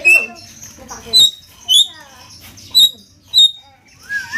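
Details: Javan myna in 'konslet gacor' song: a handful of thin, high, piercing notes spaced about half a second apart, with soft chatter and low murmur in between.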